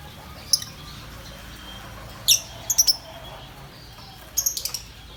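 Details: Pet green lovebird giving high, sharp chirps: a single note, then a loud burst followed by two quick clicks, and a final rapid run of four or five short chirps, over a faint steady background hiss.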